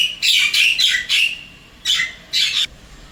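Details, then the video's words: Wild Javan myna at an apartment in Singapore, singing to call its mate: four broad, harsh grating notes in quick succession, a short pause, then two more raspy notes. "Begini bedanya Kicauan Jalak Kebo liar di Singapura"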